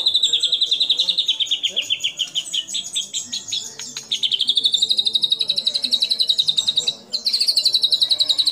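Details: A white-rumped shama gives competition song featuring fill-in phrases favored by judges: a long, rapid, even trill held at one pitch, briefly wavering, then resuming strongly.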